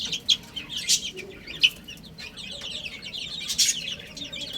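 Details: Young chicks feeding and playing, their high, rapid cheeping overlapping in a continuous chatter, with a few sharp pecking knocks.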